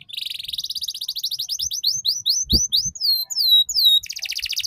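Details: Song for juvenile canaries to copy the ngeriwik sound: a long run of rapid chipping notes, then falling whistled slurs, ending in a buzzy rattle, with a single low knock midway.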